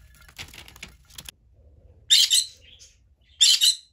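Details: Pet green-cheeked conure (Pyrrhura molinae) in Aichi, Japan, gives two loud, harsh screeches about a second apart: a contact call to its companion budgies that it cannot see.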